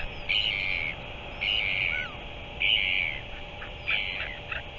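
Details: Northern royal albatross recorded on 5 March 2023: four harsh, noisy, rasping bursts, each about half a second long, spaced roughly a second apart, over a steady background hiss.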